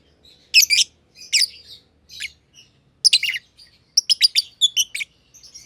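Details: Chattering from a pair of masked lovebirds, green and pied green personata, kept together in an aviary: rough, buzzy chirp clusters at first, then a quick series of clipped high tweets near the end.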